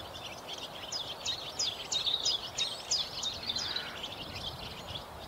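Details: Barn swallows (Hirundo rustica), just returned in spring on 2 April 2021 at Viersels Gebroekt, twitter in quick, high chirps and short rising notes, about three a second, over a steady background hiss.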